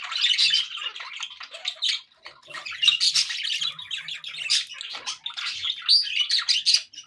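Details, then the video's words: Happy budgerigars chattering indoors: an almost unbroken stream of buzzy warbles, clicks and squawky chirps with one short lull around two seconds. "happy budgie sounds"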